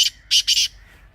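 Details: Teetar, the grey francolin, giving a hunting-lure call: a harsh clipped note, then a pair of loud rasping notes close together, fading into near silence.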